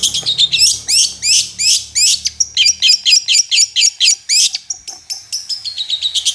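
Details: Long-tailed shrike in full, constant song, a recording meant to make quiet shrikes answer: fast, varied series of sweeping chirps and slurred high notes, about four per second, with a faint low hum beneath early on.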